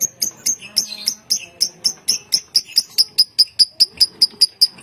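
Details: Caged contest lovebird from Bogor, Indonesia, in long-duration ngekek song: rapid, regular, high chattering notes repeated about two to three times per second, steadily evening out into a sustained trill.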